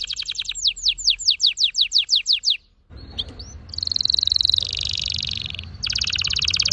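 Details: Red factor canary song: a run of rapid descending slurred notes, a brief pause, a few rising whistles, then a loud sustained rolling trill that drops in pitch and a fast dense trill, with faint background noise.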